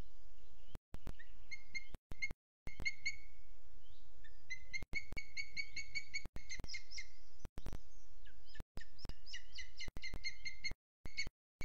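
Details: Booted eagle on a Sierra de Guadarrama National Park webcam, 12 June 2022 at 07:20, giving shrill, whistled notes in quick repeated series, several bursts, over low rumbling background and frequent sharp clicks.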